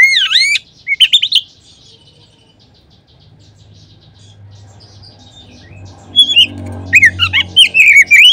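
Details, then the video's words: Oriental magpie-robin song used as a lure to get other magpie-robins singing. A few swooping whistles open, then a long near-silent stretch with a low hum, before soft whistled notes return toward the end. "Kacer manapun seketika terangsang berbunyi dengan pancingan ini."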